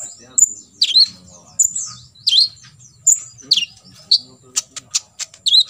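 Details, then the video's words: Olive-backed sunbird, played to train other sunbirds to imitate its 'full tembakan isian' song: sharp, very high chirps and quick down-slurred notes in bursts roughly every half second, over a faint steady high whine. "KOLIBRI NINJA (KONIN) FULL TEMBAKAN ISIAN"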